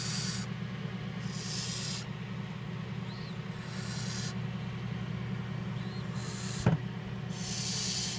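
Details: A captive Indian scops owl chick, hatched 12–14 May 2014, gives breathy, rasping hisses, each about a second long and repeated every couple of seconds, over a steady low hum.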